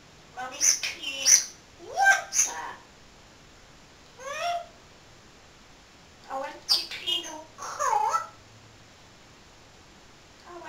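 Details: Talking pet parrot, caged and covered with a blanket at bedtime, practising words late into the night. Clusters of speech-like syllables, sharp chirps and sweeping whistled notes come in irregular bursts with silent gaps.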